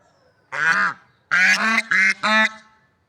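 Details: One drawn-out nasal swan honk, a pause, then three quick trumpeting honks in a row, heard outdoors in nature.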